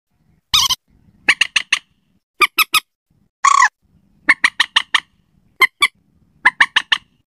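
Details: Slaty-breasted rail lure call for nighttime: short clusters of harsh, clipped ticking notes, three or four at a time, with two drawn-out raspy squeals mixed in over a quiet background.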